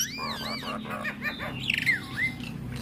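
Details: Nias hill myna song over a droning hum: arched whistled notes, a short harsh squawk, then a whistle sliding down and rising again. Said to stir starlings into song.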